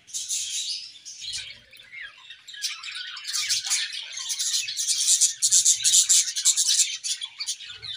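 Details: Colony of budgerigars eating, giving a continuous high chatter of chirps and warbles from many birds, building into rapid clicking, scratchy bursts in the second half.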